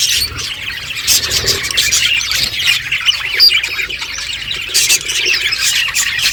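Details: A flock of pet budgerigars chirps while eating, giving a constant jumble of high twittering and raspy squawks from several birds.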